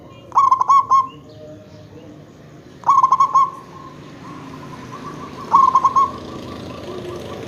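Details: Local zebra dove calling to draw answers from other zebra doves: three loud, bubbling phrases of four or five rapid coo notes each, spaced roughly two and a half seconds apart, faint softer coos between them.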